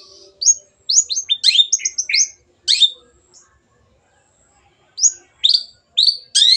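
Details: Long-tailed shrike song offered as a lure to make birds sing: short phrases of sharp rising whistles mixed with harsh notes, a silent gap of nearly two seconds midway, then more whistled slides.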